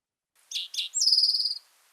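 Eastern Towhee song: two short, clear introductory notes followed by a fast, ringing trill, the familiar 'drink-your-tea' pattern, with no other sounds.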